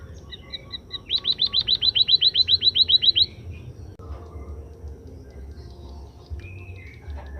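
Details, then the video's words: {'caption': 'Scaly-breasted munia after sunning: a few soft high notes lead into a quick, regular string of about seventeen bright upslurred notes, followed by faint scattered chirps over low hum.'} "suara emprit kaji setelah penjemuran"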